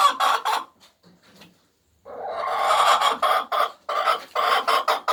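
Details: A laying hen's egg song: a few loud harsh clucks, a brief quiet gap, then a sustained rapid series of rough, broadband cackles in quick succession.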